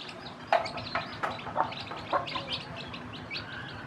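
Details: Newly hatched chicks with their hen, which is teaching them to eat, give high, thin rising peeps that overlap one another, with a few sharp tapping clicks in the background.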